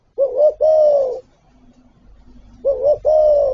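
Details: Spotted dove cooing from its full repertoire of calls: two deep phrases, each a quick two-part coo followed by a drawn-out, slightly falling coo, with a faint low hum in the pause.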